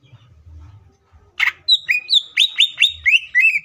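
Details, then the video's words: Green leafbird singing a rich, varied song meant to provoke other green leafbirds into singing fast and becoming agitated; after faint low rumble, a harsh buzzy note leads into a quick run of bright, slurred whistles about four per second. "CUCAK IJO FULL ISIAN PALING MEWAHH❗AMPUH BUAT PANCINGAN IJO AGAR CEPAT BUNYI DAN EMOSI!"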